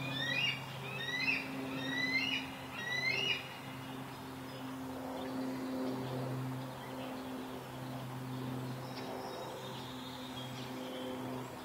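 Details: Juvenile eagle calling for its breakfast: a quick run of thin, high, down-slurred squeals over the first three seconds, then fainter scattered calls, all above a steady low hum and background noise.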